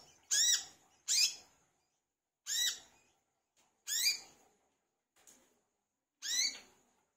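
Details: Lure recording of a vigorously singing olive-backed sunbird (kolibri kelapa or wiceh): loud, high, sweeping notes given singly with pauses of one to two seconds, plus a couple of faint softer notes between them.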